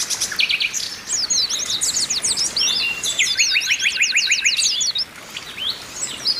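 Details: Flock of Oriental white-eyes, females calling to excite males, played as song therapy; quick high slurred chirps crowd together, with a fast series of short repeated notes lower down in the middle.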